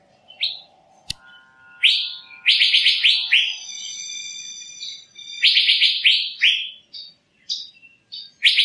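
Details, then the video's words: Asian fairy-bluebird uttering fast series of ringing whistled notes, several in quick runs, with a sustained low harmonic hum underneath at the start. "Tiếng chim Thanh Lam(Chim Lam) | The sound of the bird Irena puella"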